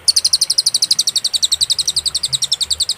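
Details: Cililin singing on a songbird tutoring master recording: a continuous, fast trill of bright, high-pitched chipping notes, roughly eight per second, steady in loudness throughout.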